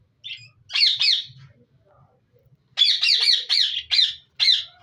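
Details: Harsh, raspy squawks from budgerigars in a breeding colony, a pair of calls followed after a pause by a quick run of five scratchy notes and one last squawk, over a faint low rumble.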